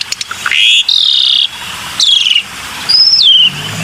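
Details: Black-winged myna lure whistles: a rising note leads into a long, level buzzy whistle, followed by a harsh falling burst and a high whistle that drops in pitch.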